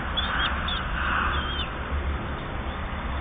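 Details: Kestrel chicks 8 to 10 days old at a feeding: a few thin, high squeals early on, mixed with rough, scratchy rustling bursts and a continuous deep rumble underneath.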